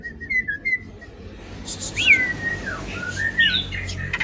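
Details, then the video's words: Asian pied starling singing, used as a lure and to teach other birds: a few whistled notes, a long descending slurred whistle, then harsh squeaky notes. "jalak suren gacor pancingan tembakan penambah materi isian burung"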